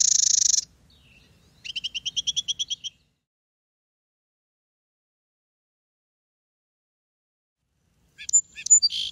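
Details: A Song Sparrow (a viewer suspects it may be a Lincoln's Sparrow) gives a high buzzy burst, then a quick, even trill of about a dozen notes. After a long silence, a few sharp notes follow.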